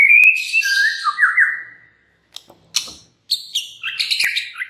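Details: White-rumped shama song as a lure for other shamas: a high whistle dropping into warbled trills, then sharp clicks and scattered crisp, chattering notes.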